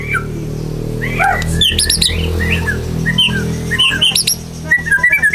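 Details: Caged white-rumped shama in full song, ready for competition: bright whistled and chirping notes, some sharply rising, amid clicks and a steady low indoor hum.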